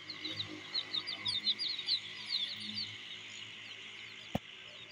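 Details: Feeding chicks give many quick, thin high cheeps, busiest in the first three seconds and then thinning out, with one sharp click near the end.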